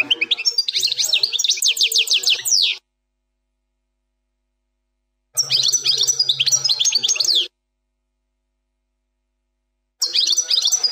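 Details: European goldfinch, 'plak mine' song style, fourth error-free segment; three phrases of quick high twittering with sharp downslurred notes, each about two to three seconds, separated by pauses.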